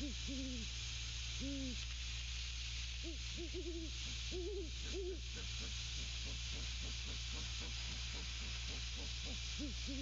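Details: A pair of Great Horned Owls at the nest hoot and grunt at one another: low arched hoots, a few spaced then a rapid cluster, followed by softer short grunting pulses, over constant hiss and low hum.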